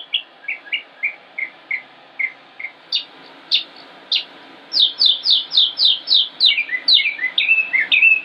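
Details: Northern mockingbird singing on 05-25-16 in Concord, North Carolina, United States, running through varied phrases: short chirps repeated in sets, then rapid downslurred notes and twittering runs, each motif repeated several times before switching.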